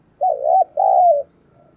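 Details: A decoy spotted dove with giọng thổ voice style, kept to provoke wild doves to coo fast, gives one mellow phrase: a wavering short note, then a drawn-out coo sliding down, with faint low background rumble.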